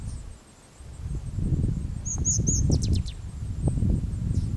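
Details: Striated grasswren, subspecies whitei, Wittenoon Gorge, Pilbara, Western Australia, 9 June 2012; three high, thin, arched squeaky notes followed by a fast trill of sharp ticks, over low rumbling wind noise.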